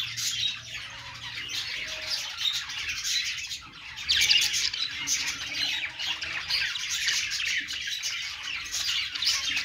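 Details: Budgerigars on a perch giving a steady chorus of squawky chirps and rolling warbles, several overlapping voices, growing louder around the middle.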